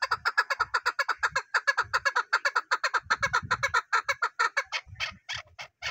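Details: Chukar partridge, chakor: loud rhythmic chuk-chuk clucking repeated about two and a half times a second, notes spacing out toward the end, with low rumbling handling noise underneath.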